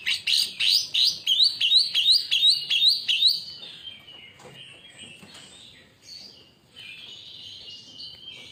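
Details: Cucak ijo, the greater green leafbird, in lure song for provoking other birds: a rhythmic run of sharp upslurred whistles, then softer, drawn-out high warbling.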